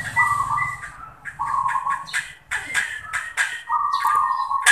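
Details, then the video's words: Zebra dove, perkutut, singing manggung: rolling trilled coos in three phrases, separated by sharp clicks and knocking noises. "Zebra Dove | Perkutut manggung"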